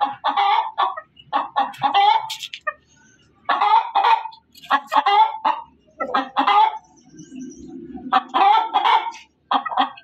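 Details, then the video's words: Hen cackling loudly in bursts of harsh, strident clucks separated by pauses, with a low droning sound between bursts. "suara ayam berkokok betina"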